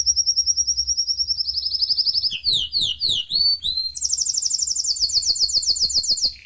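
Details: Canary recorded in the United States singing a sequence of rapid tours: a high fast trill, a series of sweeping descending slurred notes repeated quickly, then a very high rolling trill ending in a short lower note.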